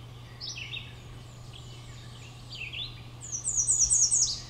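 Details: American redstart singing at Great Swamp WMA, West Kingston, Rhode Island, on 14 May 2012: a quick series of five high, thin, sharp notes near the end, after faint songs of other songbirds, over a steady low hum.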